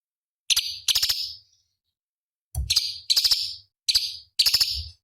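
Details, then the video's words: Competition master song of a cucak cungkok bulbul: pairs of dry, buzzy stuttering phrases with a long silent gap in the middle and a dull thud before the second set. "Masteran Cucak Cungkok Istimewa ~ Isian Pedas Tajam Kasaran"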